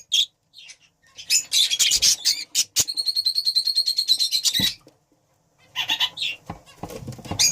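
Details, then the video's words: Budgerigar breeding pair chattering: dense, high scratchy warbling, then a rapid run of evenly repeated buzzy notes for about two seconds, a pause, and more twittering with clicks and rustling. "Breeding pair budgie"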